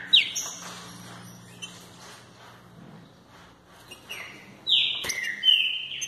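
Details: Green-winged saltator, fibra song style: a sharp slurred whistle opens, then a long quiet stretch with a low steady hum, before a final burst of three clear falling and level whistled notes.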